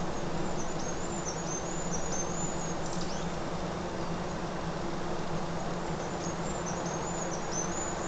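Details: Hazel grouse in spring give their song, very high, thin whistled phrases of drawn-out notes running into a quick trill, twice in eight seconds, while running in a circle, over steady low rushing noise.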